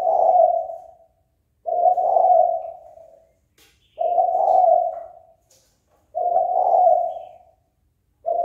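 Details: Spotted dove kept as a sport bird, cooing to stir rival doves to fight: deep, throaty, slightly rolling phrases that trail off at the end, repeated about every two seconds, with no other noticeable sounds.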